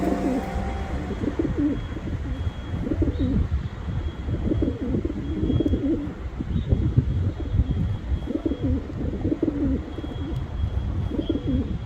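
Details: A pigeon repeats deep, rolling coo phrases roughly every one to two seconds, each a muffled throaty burble, against a low background rumble.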